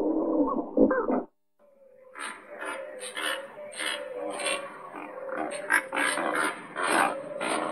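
Great white pelicans give deep, grunting, moaning calls in overlapping bursts. A short low growl comes first, then after a brief pause a steady chorus of rough calls.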